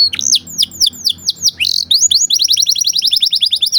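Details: Canary delivering luxurious 'cengkok mewah' song for training other birds: loud falling whistled sweeps roughly every quarter second, giving way to a fast even run of short rising notes.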